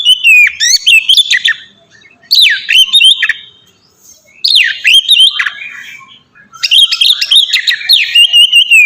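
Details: A white-rumped shama's ngeplong song, played to train captive birds: four bursts of loud fluting whistles and downward slurs, each lasting about a second or two, separated by brief pauses.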